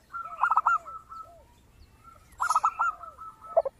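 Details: Zebra dove in full song with a voice described as crystal-clear, played as a lure to prompt other doves to sing: two bursts of quick, beaded cooing notes over a steady tone, separated by softer downslurred notes, against quiet background.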